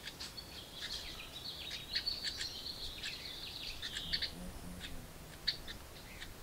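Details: Young house wrens in a nest box calling for food from their parents: a long, thin, high buzzy trill with scattered scratchy chips, fading to quieter sparse notes over faint low background hum.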